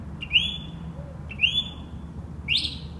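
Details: Northern mockingbird singing at night in West Brighton, recorded by a sleepless resident; a clear, rising, buzzy whistled note repeated three times about once a second over a low background hum.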